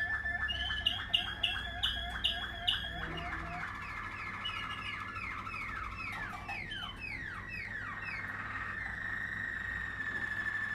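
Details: Singing Waterslager canary, 2020 line: a quick series of repeated ringing notes for about three seconds, then a run of descending slurred whistles that melt into a low, steady, rolling tone.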